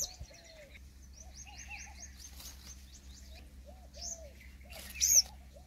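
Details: Purple sunbird, also called purple-rumped sunbird, giving a fast series of thin, high, repeated notes. Lower arched whistles from another bird sound underneath, and a loud high chirp comes near the end.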